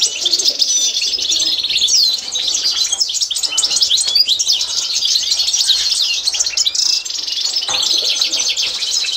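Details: Continuous, high-pitched twittering and trilling song of a Constantine goldfinch during training, busy and rapid with short buzzy phrases and a brief pause near the end.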